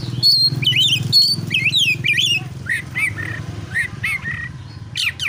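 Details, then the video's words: Oriental magpie-robin in fighting song used to stir rival birds into singing: loud looping whistles and sharp upslurred chirps at first, then a string of short, even, repeated notes about twice a second, over a low background hum. "KACER MANA YANG DIAM DAN NGAK NYAUT DENGAN KICAUAN KACER NARUNG SATU INI"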